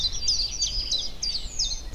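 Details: A Yellowhammer perched in spring hedgerow country (bocage) sings a quick series of high, thin, slightly nasal repeated notes like a canary, over a low outdoor rumble.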